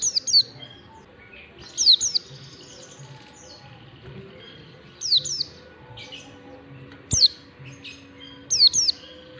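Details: Long standard 'ngalas' song of an Oriental white-eye, used to teach young birds to sing: sharp, high descending whistles in short bursts of two or three notes, spaced a few seconds apart over quiet background.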